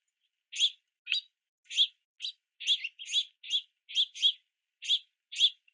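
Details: Begging calls of juvenile house finches perched on or beneath a platform feeder in the rain, flapping wings at parents; a run of about a dozen sharp chirps, several in quick pairs.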